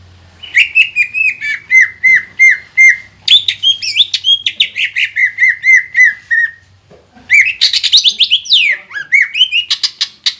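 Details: Green leafbird (cucak ijo) lure song for provoking other birds: long strings of repeated downslurred whistles, then varied rising and falling notes, a brief gap, and a burst of sharp, fast whistles and sweeps.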